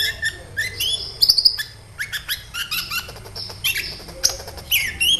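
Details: Sunbird (kolibri ninja) song used as a lure: mixed high twitters, slurred whistles and quick chip notes in short bursts, some lower falling phrases, fairly clean background.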